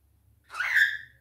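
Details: Cockatiel kept as a pet, left alone with a companion bird, calls for attention: one drawn-out, slightly hoarse screech swelling then fading over about half a second, over a low indoor hum.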